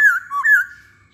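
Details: Masked laughingthrush song used as a lure to set other masked laughingthrushes singing: two loud, clear whistled notes, the second rising into a long level whistle that fades out, in a quiet room.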